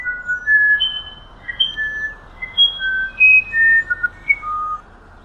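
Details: Musician wren (Cyphorhinus arada), a bird of Amazon humid forest, sings a quick series of pure, flute-like whistles, each on a different pitch, about three notes a second, over steady background hiss.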